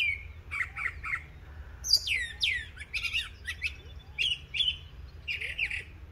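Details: Northern mockingbird singing on an April morning in Coles County, Illinois: varied repeated phrases of downslurred whistles, buzzy notes and quick chirps, over a constant low rumble.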